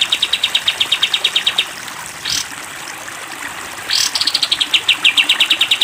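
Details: Sooty-headed bulbul on a cage-bird training recording: a rapid run of high staccato notes stops, brief rising swoops fill a pause, then a new fast volley starts, with soft trickling water beneath.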